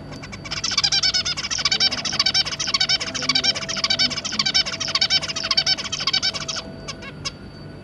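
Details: Caged zebra finch family with three juveniles: a long fast chattering song of rapid buzzy notes running about six seconds, ending with a few short clicks.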